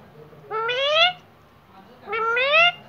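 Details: Pet Indian ringneck parrot, kept uncaged, talking: two drawn-out voiced utterances, each about half a second long and rising slightly in pitch with rich harmonics, separated by a quiet pause.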